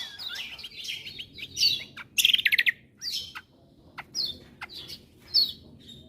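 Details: Yellow-vented bulbul singing high, scratchy warbled phrases, a quick rattling trill of clicks, then sharp isolated chirps and short whistled notes separated by brief pauses.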